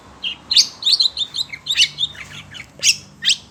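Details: Kacer, or Oriental magpie-robin, in captivity and stirred up by other birdsong, delivers loud, scratchy chirping notes and short whistles in quick succession, ending with two sharp high calls.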